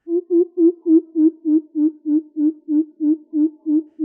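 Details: Greater coucal heard from dense grass near homes: a long run of deep, low, hollow hoots, about fourteen in four seconds at a steady, even pace, with nothing else heard.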